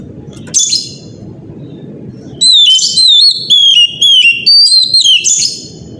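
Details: Oriental magpie-robin lure song for the morning, meant to set young birds and other magpie-robins singing. After a faint opening note comes a loud run of clear whistled phrases, each sliding down and repeated about twice a second, over low rhythmic thumping.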